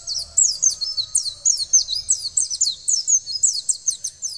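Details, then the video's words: Caged Oriental white-eye (pleci) being trained to sing; high, rapid series of thin whistled slurred notes, each sweeping up and down, delivered in a fast continuous chatter throughout. "Pleci langsung nyaut training perci agar cepat gacor dan wiksar"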